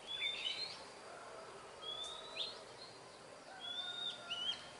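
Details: Wild Oriental magpie-robin song of clear rising whistles, each sweeping upward and ending in a short twisted flourish, three phrases spaced about two seconds apart over quiet background hiss.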